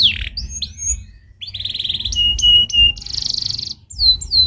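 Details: Stimulating song of a canary: a falling buzzy note, looping whistled slurs, then a dry rattling trill, sharp clicks and a rapid high ringing roll before more upswept whistles.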